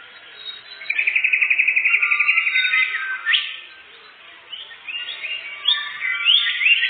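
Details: Canary song as a lure for catching birds. A long, even rattling trill of rapid pulses lasts about two seconds, then a sharp upsweep and varied chirping warbles follow.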